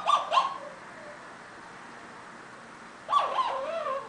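An Eclectus parrot gives two short bursts of bending, warbled squawks about three seconds apart, mid-pitched and rich in overtones, over a faint steady hiss.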